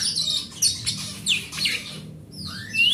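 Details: Oriental magpie-robin song, forest bird kept as a home hobby and used to lure others to sing: harsh scratchy bursts and buzzy notes, a brief gap, then two clear rising whistles.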